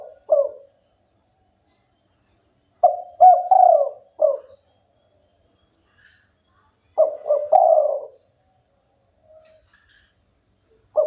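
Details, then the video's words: Spotted dove of a local type singing often: mellow multi-note cooing phrases, short notes rising into a longer rolling coo, repeated several times with gaps of a few seconds and faint soft sounds between. "tekukur lokal gacor bikin lawan ikutan bunyi"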